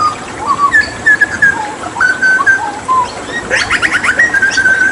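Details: Fluted whistles from a hooded butcherbird of Papua, recorded with water therapy as singing practice material, glide through several mid-pitched notes before a burst of harsh chattering merges into a sustained higher whistle.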